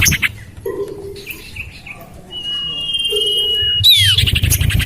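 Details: Common iora lure call, tested in a house-side garden: soft low chatter, then a long flat whistle of over a second ending in a steep downward slur, followed by a buzzy burst.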